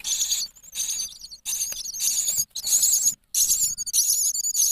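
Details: Six-day-old nestlings in a nest box in Poland, being fed frequently while the parent cleans the nest, give high, thin, wavering begging calls in dense, overlapping bursts with short silent gaps, plus faint low rustling in the box.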